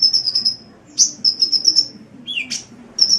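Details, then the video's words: Sunbird song: thin, very high trilled notes in quick runs, a sharp upslurred chip, and a downward-sliding lower note before another high trill. "Masteran Suara Kolibri"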